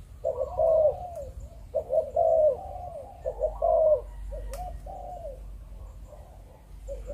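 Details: Spotted dove of the Malaysian breeding strain in 'chụp chụp ô' style: several overlapping low coo phrases early on, fading to softer, scattered coos later, with a low background rumble and a sharp click.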